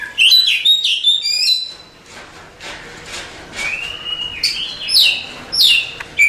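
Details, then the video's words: Champion Oriental magpie-robin song with a quick opening cluster of high whistled phrases, a quieter stretch with a soft rising whistle, then loud descending slurred notes. "Suara Kicauan Burung Kacer Juara Kontes"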